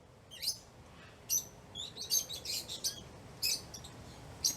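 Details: Lovebirds chirping while excited, playing or eating: a busy stream of overlapping shrill chirps and short chattering notes, several birds calling almost continuously over soft background hiss.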